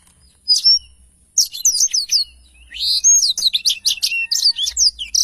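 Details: Lively black-throated canary song used to tutor other songbirds, beginning with a single high note, then dense runs of quick rising and falling whistles and buzzy trills.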